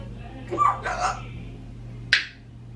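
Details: A parrot left alone with a companion, either a 26-year-old African Grey or a 16-year-old Quaker Parrot, gives a short mimicked, word-like throaty phrase, then after a pause a sharp click; low room hum underneath.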